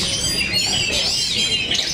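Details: Oriental magpie-robins singing at a bird singing contest in Cikeas; a dense chorus of overlapping high whistled and warbled phrases, rich in rapid trills and slurred notes, runs without pause.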